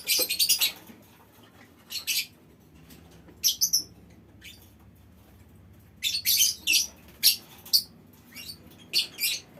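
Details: Colony of lovebirds in a small aviary giving harsh, high, rasping calls in short clusters separated by silences, with a couple of whistled notes.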